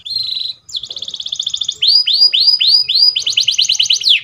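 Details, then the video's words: Training song of a canary: a held whistled tone, a fast rattling trill, a run of curved rising-falling whistles about every quarter second, then another quick trill. "Canary Singing _Canary's most powerful song for training"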